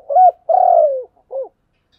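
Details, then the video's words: Spotted dove in the giọng đồng voice style: a short hooted note, a long drawn coo sliding gently downward, then a brief clipped final coo, all low-pitched and clean against silence. "Cu gáy giọng đồng"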